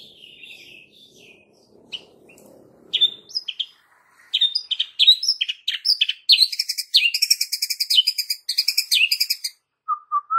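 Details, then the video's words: White-rumped shama singing a calm but sharp lure song to provoke young and forest-caught fighter birds. It starts soft, then grows into rich, varied high phrases with rapid, buzzy pulsed trills, ending in short low whistles. "pancingan Suara KALEM tapi TAJAM Untuk Pancing FIGHTER Murai batu PAUD dan Muda Hutan"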